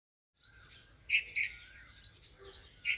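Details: Sparrow, locally called chira, giving bright two-part chirps in quick bursts of about two to three notes, each burst separated by short pauses, over a quiet low hum.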